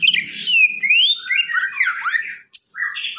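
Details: Greater green leafbird in agitated, fired-up song, meant to make other leafbirds agitated: a quick run of varied whistled phrases with sliding rising and falling sweeps, a short gap near the end, then bright high notes; faint low hum at the start.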